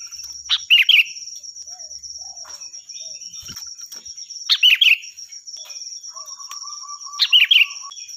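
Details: Sooty-headed bulbul singing loudly as a training tutor for other birds: three short, liquid warbled phrases spaced about three seconds apart, with faint low notes in the gaps and a steady high whine throughout.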